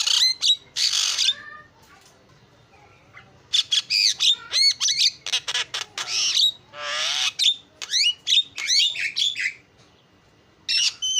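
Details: Starling lure song meant to draw in other birds: loud clusters of harsh squawks and fast whistled trills, broken by two quiet pauses of about two seconds each.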